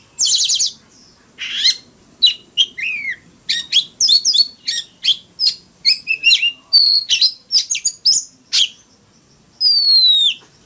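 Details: Oriental magpie-robin fighting song: an opening rapid buzzy trill, then a run of crisp varied whistles and chips, ending with a long, clear, drawn-out whistle gliding downward.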